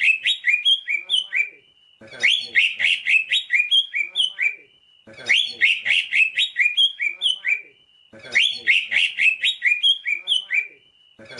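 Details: Greater green leafbird (Chloropsis sonnerati), song.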